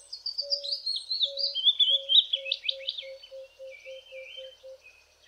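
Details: The season's first willow warbler, near Grahamstown, South Africa, sings from trees over a stream: a sweet, liquid phrase tumbling down the scale over about three seconds, with a low steady note repeating several times a second underneath.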